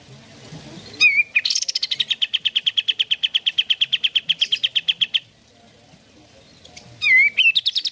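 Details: Sooty-headed bulbul singing to provoke caged birds into song: a sharp whistled phrase opens a long rapid rattling trill of steady pitch lasting about four seconds, then silence before another loud whistled phrase.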